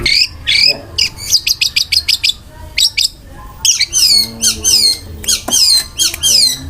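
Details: .Long-tailed shrike in vigorous song packed with rough fill-in phrases and rapid rolling bursts: quick downslurred high chirps in fast series, pauses, then looping whistled notes repeated about twice a second.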